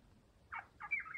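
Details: A Maroon Oriole (Oriolus traillii ardens) chick gives two harsh, raspy begging notes while being fed, the second longer and slightly rising, over a quiet background.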